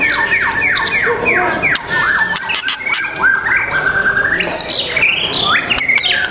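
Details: White-rumped shama at a singing competition in the archipelago, 12 December 2021, loudly repeating a series of ringing downslurred whistles, then varied rich warbled phrases, with other birds and noise behind.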